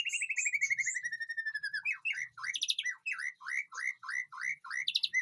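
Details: Aviary White-rumped shama in a backyard garden pouring out a long descending string of rapid notes, followed by a series of repeated slurred whistles interspersed with sharp high notes.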